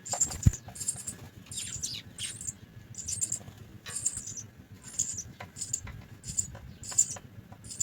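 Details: Nestling house sparrows begging while fed, shrill raspy cheeping in short clusters roughly twice a second, some notes sliding down, over faint clicks and a low background rumble.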